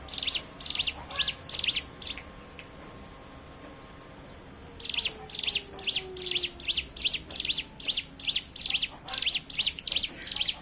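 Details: Hill prinia song used to draw other birds into singing, ngebren style: bursts of shrill repeated chips, a pause of nearly three seconds, then a longer, faster volley of the same sharp high notes.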